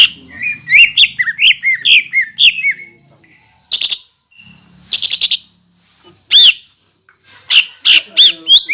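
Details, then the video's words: Greater green leafbird singing to spur rival leafbirds; a run of rapid downslurred whistled notes, then harsh buzzy bursts separated by short pauses, and a final string of quick bright chips. "PANCINGAN CUCAK IJO GACOR NEMBAK UNTUK MENAIKAN EMOSI CUCAK IJO LAIN AGAR JAMTROK"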